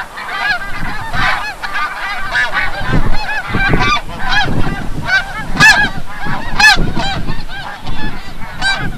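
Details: Snow geese at sunset at Forsythe National Wildlife Refuge, New Jersey, back from the bay; many distinct barking honks overlap over a strong low rumble, some notes loud and near.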